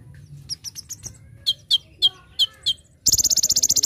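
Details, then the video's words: Olive-backed sunbird (konin) singing actively for a bird-training master recording: soft high notes, then loud sharp chirps about four per second, ending in a rapid harsh buzzing trill. "Masteran Handal ‼️ Konin Gacor Full Tembakan"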